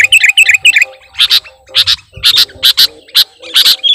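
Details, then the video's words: Lure call of a sooty-headed bulbul for catching birds. It opens with a quick twittering flourish, then gives loud chirps repeated roughly every half second. "Suara Pikat Burung Kutilang Gacorr"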